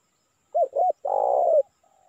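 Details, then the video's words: Single spotted dove lure phrase for calling wild birds: two short hooked coos, then a half-second rolling coo that slides down, followed by a faint soft note. "Suara Pikat Tekukur Memanggil Burung Liar"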